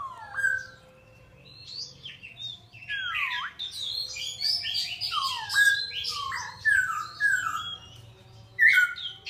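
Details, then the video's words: A songbird sings a rich, varied song of whistled phrases, many sliding downward from high to middle pitch, with buzzy high notes and twittering bursts in quick succession; a soft low hum runs underneath. "Chim hot hay"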